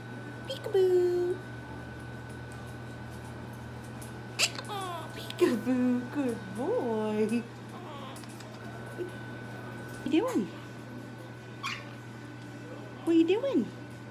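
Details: A male pet Quaker (monk) parrot that keeps picking up new words mimics human speech, saying "peekaboo" in short, voiced, word-like phrases.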